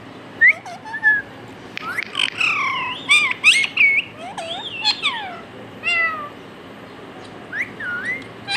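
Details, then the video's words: Pet parrot imitating words, including "Mitthu Mitthu": a burst of high, crowded squawks and harmonic chatter, then a pause, then a few looping whistled notes over steady background noise. "Adorable Talking Parrot"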